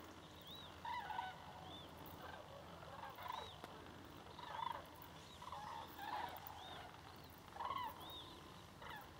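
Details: Common cranes, a flock of over 5000 migrating southbound over Jouy, Cher, in Berry: repeated rolling trumpeting calls from many birds overlap in bursts every second or two, with higher thin notes above and a steady background hiss.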